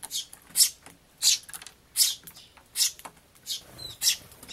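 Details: A sparrow fledgling begging to be fed, once mistaking another sparrow for its parent and getting pecked away; loud, raspy, high chirps come roughly every seven tenths of a second.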